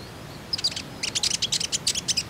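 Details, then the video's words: Common iora, a lure recording for prompting untrained birds to sing: a quick, chattering series of sharp, high chips after a soft opening whistle, tightly bunched over two seconds. "KONIN IJOAN ANDA PASTI IKUTAN BUNYI, PANCINGAN TERCEPAT JADIKAN KONIN BAHAN RAJIN BUNYI"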